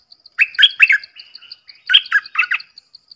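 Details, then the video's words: Red-whiskered bulbul singing two short bursts of bright, bubbly chirped notes about a second apart, with a steady faint ticking tone running through the background. "เสียงนกดอกแตงEp.105 Birds sounds"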